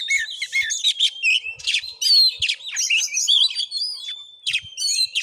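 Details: Oriental magpie-robin in fighting mood, recorded at a house in Padang Gading village, Sungai Rumbai, Muko Muko, Bengkulu, Indonesia, pouring out loud, varied high whistles, rapid chattering bursts and sliding notes in a restless torrent.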